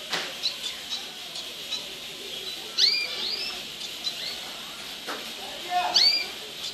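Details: Belgian canary hens being prepared for breeding, 2016, give two or three short, high, sweeping chirps a few seconds apart over a steady hiss, with faint rustling and ticking between them.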